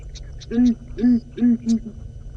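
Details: Southern ground hornbill, likely a female judging by a bluish throat patch, calling from a marula tree at sunrise on 25 February 2018 in Djuma Game Reserve, Sabi Sand, South Africa. Four deep, hollow booming notes come roughly every half second over a steady low hum.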